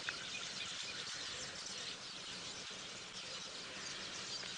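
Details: At sunset on 10 February 2017 on a South African game reserve, many southern masked or village weavers gathered in a nesting tree give a dense, frantic wash of high, sizzling chatter and chirps, with dry clicks and faint outdoor hiss.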